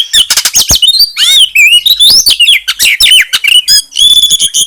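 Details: Bar-winged prinia (ciblek gunung) song joined to oriental magpie-robin song for provoking other birds: continuous high warbling of swooping whistles, chips and quick trills, with a sustained buzzy run at the end.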